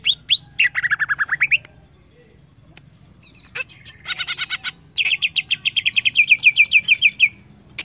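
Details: Greater green leafbird song in bursts: a fast series of downward-sweeping whistles, a pause, then scratchy chatter leading into a long rapid trill of bright repeated notes, roughly three per second and quicker.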